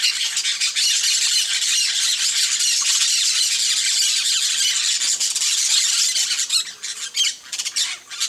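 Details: Flock of peach-fronted parakeets at a feeder, calling together: a dense, continuous wall of harsh, screeching squawks with no pause for six seconds, then breaking into separate ragged bursts toward the end.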